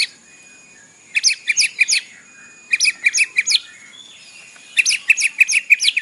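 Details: White-rumped shama song with mimicked phrases, played in the morning to provoke captive birds into singing: three bursts of rapid, high, sharp chattering notes, each about a second long, separated by short quiet gaps.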